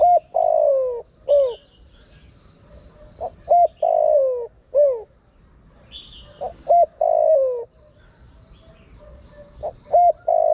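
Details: Lure call of a spotted dove for attracting wild birds, three repeated cooing phrases, each with short hoots leading into a long falling coo and a clipped downward note, with light high chirping from other birds.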